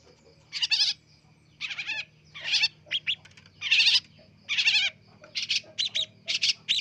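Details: Young long-tailed shrike practising its sounds: harsh, buzzy, grating bursts in uneven groups, some notes quickly repeated, with a faint low hum behind.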